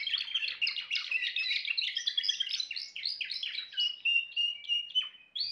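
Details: Timbrado canary delivering fast rolling trills that slow into a series of long flat whistled notes near the end, each separated by a short gap.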